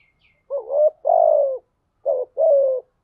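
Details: Spotted dove lure bird cooing to stimulate other doves to coo: two low hollow phrases, each a short wavering rising note followed by a longer steady coo that slides down, a faint high chirp at the start.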